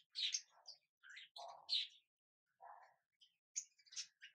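Young budgerigars give scratchy, chattering chirps in quick irregular bursts.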